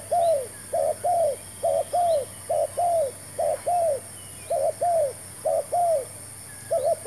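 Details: Spotted dove calling during trapping with a new decoy bird and a new trap; mid-pitched coo phrases, each a pair of short notes and then a longer falling croo, repeated about once a second over a steady high hiss.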